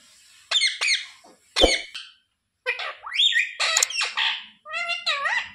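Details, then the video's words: A pet rose-ringed parakeet speaks indoors in a shrill, nasal voice, repeating "sita ram" and other short word-like phrases with rising and falling inflections. "Parrot talking sita ram || sita ram bolne wala mitthu || ये मिट्ठू तो सीता-राम बोलता है"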